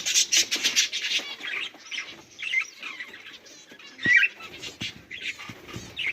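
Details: Several caged pet budgerigars chattering, recorded 18 July 2023: dense bursts of harsh, buzzy chirps and squawks, most intense in the first second, then scattered warbling notes and short scratchy calls with brief pauses, with faint rustling and wing flutters.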